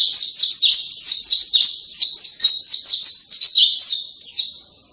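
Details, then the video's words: White-eye in loud, canary-like song: a rapid, unbroken stream of high chattering, zigzag notes, rising and falling quickly throughout. "kicauan keras pleci rasa kenari"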